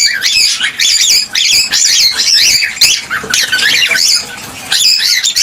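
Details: Cockatiel chatter meant to stimulate pairs to mate and breed: dense, rapid runs of squeaky, warbling chirps and short squawks, bursting in quick clusters with brief pauses, slightly roomy indoor sound.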